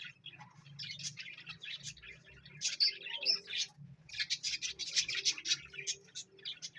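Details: Continuous, busy parrot chatter of rapid high chirps and scratchy notes, growing louder in the second half, over a low steady hum.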